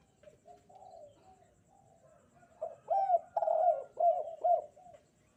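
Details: Spotted dove on a bright morning. Soft, low murmurs come first, then four or five loud, deep, arched coos in quick succession before the sound fades.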